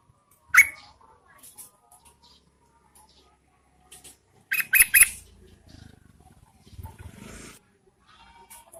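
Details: A female Yellow-vented Bulbul calls to draw males during the rainy season. One sharp chirp opens, then a rapid burst of three or four rasping notes, with low rustling and faint chatter behind.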